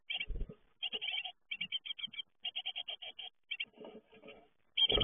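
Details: Fledgling great tits on leaving the nest, with clipped high chirps strung in quick bursts of four to six notes, softer calls toward the end, and low bumps at start and finish.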